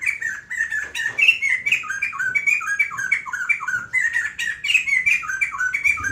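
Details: White-crested laughingthrush in extended song, a long energetic sequence of rolling, looping whistles with harsher overtones, delivered in quick bursts that barely pause over six seconds.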